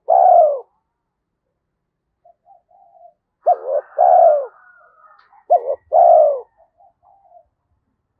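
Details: 'Thổ'-voiced spotted dove of the 'Thúc Đấu' style, a voice fit for the forest when setting traps. The clip opens on the end of a long coo. Two full phrases follow, each a hooked note then a drawn-out falling coo, with faint soft notes between.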